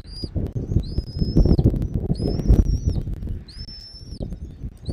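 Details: Nest-cam bald eagle in Southwest Florida, 13 January 2024, 2 pm: four long, arched, high whistles, each rising, holding steady and dropping at the end, about one per second, over rough low wind rumble.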